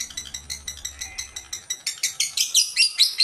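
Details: Old female lovebird calling: a fast series of short, harsh, high chattering notes, roughly six per second, starting soft and growing louder and shriller over the last half, with a faint low hum early on.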